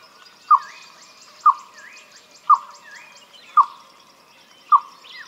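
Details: Male Green Barbet (Stactolaema olivacea) song: hollow, bark-like 'kow' notes, one about every second, resembling a dog bark and somewhat like a Freckled Nightjar, over thin high chirps and rising whistles from other birds.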